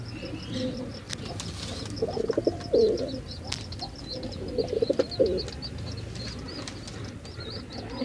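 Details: Male pigeon performing, two short bursts of throbbing low coos separated by a pause, amid busy high-pitched chirping from other birds and a few sharp clicks.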